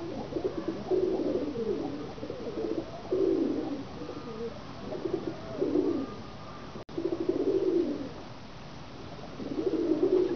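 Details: Domestic pigeons kept by Pakistani pigeon fanciers coo in low, throaty, rolling phrases, several bursts spread across ten seconds, some overlapping, in a reverberant enclosed space with steady background murmur.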